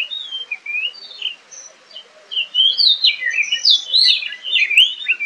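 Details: A wild Oriental magpie-robin pours out a rapid, varied stream of clear high whistles, slurred notes and buzzy trills, with hardly a pause between phrases.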